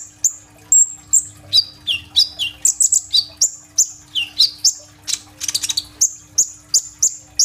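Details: Vigorously singing kolibri ninja sunbird, phone-recorded, with rolling burst fill-ins. High whistled notes and short downslurs are delivered rapidly, including a dense buzzy flurry midway, over a faint constant hum.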